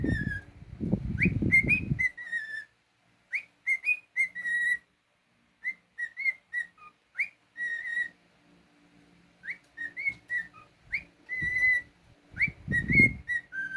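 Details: Pet cockatiel whistling a song: short phrases of clear whistled notes, each sweeping up sharply then levelling off, with pauses between groups; bursts of low rumbling noise at the start and near the end.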